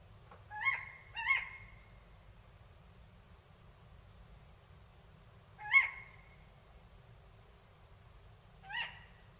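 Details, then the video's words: Tawny owl recorded in Córdoba province: four short, sharp, clipped calls, the first two close together, then two more spaced several seconds apart in a quiet setting. "Cárabo común"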